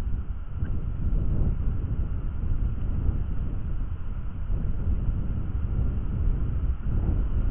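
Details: Heavy low rumble like wind or distant traffic fills the recording, with a faint steady hum and no clear animal calls.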